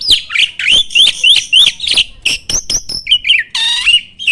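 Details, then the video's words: Starling song played as a training recording to spur other caged songbirds to sing: a fast run of rising whistled slurs near the top of the range, then harsh rattling notes and a buzzy, strongly harmonic squawk. "MASTERAN BURUNG JALAK AMPUH!!!"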